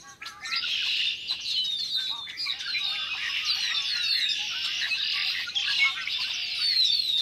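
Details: Large noisy flock of Red-winged Blackbirds in early March 2010, spring, calling and singing together: a dense continuous chorus of overlapping chirps, squeaks and trills in a high band, with sweeping downslurred whistles throughout.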